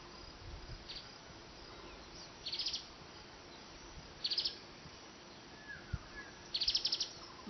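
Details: Golden-fronted leafbird feeding at Himalayan cherry blossoms gives three short bursts of high, rapid chittering notes, spaced about two seconds apart, over a quiet hiss of background noise.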